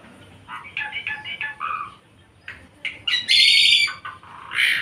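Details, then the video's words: Javan pied myna singing, with a run of quick chattering notes followed by a loud, harsh squawking phrase and a final shrill burst. "Jalak Suren A7 Gacor !! Suren Jawa"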